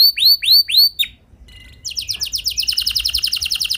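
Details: Lure singing of a canary for other canaries: three loud upswept whistles, a short quiet gap, then a rapid high rattling trill.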